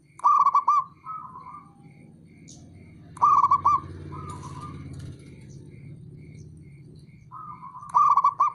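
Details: Calling male perkutut (zebra dove), a local bird kept for tutoring others and provoking rivals to reply: three loud, clipped, tremulous coo bursts, each trailed by softer notes, over steady low noise and faint high pipping.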